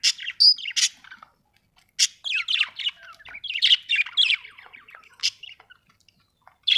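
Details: Budgerigar chirping rapidly, with squeaky, scratchy warbled notes and sharp high peeps tumbling together in a lively, uneven stream with brief gaps.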